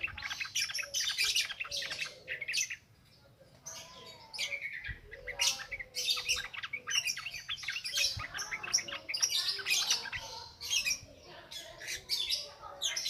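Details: Yellow-vented bulbul singing in the continuous ngropel ngalas style, used as a lure for wild-caught birds: dense bubbly chattering phrases, mostly high and sharp, in an almost unbroken stream with a short lull near three seconds.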